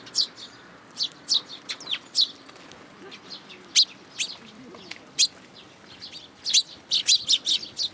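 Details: A juvenile sparrow comes to a plum tree at a Tenmangu shrine to be fed, 1 June 2022. It gives busy, high, clipped chirps in rapid runs, quieter in the middle and then crowding together toward the end.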